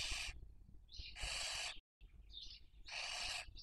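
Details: Barn owl during the 2023 breeding season in Cabañeros National Park, Castilla-La Mancha, Spain, captured by webcam while raising young; three breathy hisses, each preceded by a short wavering squeak, over low rumbling noise.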